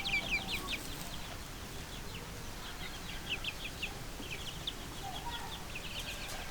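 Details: Small chicks chirping in a steady busy flurry of thin, high, downslurred peeps, some in quick clusters, against a constant low background rumble.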